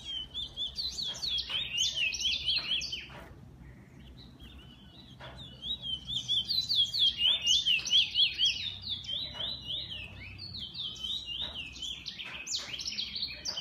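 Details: Bullfinch song from an owned bird: two long bouts of fast, high chattering and trilled notes separated by a brief pause, with steady rapid pulses throughout each bout.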